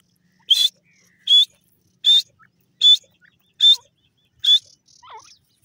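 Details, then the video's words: Grey francolin, known locally as dakhni teetar, uttering six short, clear, high whistled notes spaced roughly every 0.8 seconds, followed by faint soft chirps. "partrige bird ki awaz,dakhni teetar awaz,teeter awaz"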